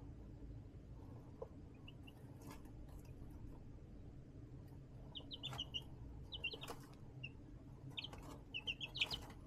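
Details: Baby chickens raised in an indoor brooder box made from a plastic storage tote under a heat lamp, March 20, 2024; sparse short high peeps, single and in quick clusters, over a steady low hum and scattered clicks.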